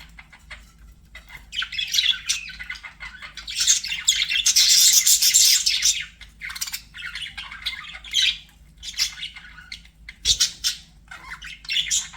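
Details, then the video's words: Budgerigars chirping busily in dense, high twittering bursts, a loud continuous stretch in the middle, then shorter warbled phrases with gaps. "BUDGIE SOUNDS"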